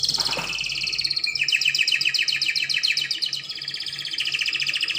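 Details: Continuous Spanish Timbrado canary song, intended for young canaries to learn: dense rolling metallic trills, shifting from high to slightly lower pitch, with a brief noisy burst at the start.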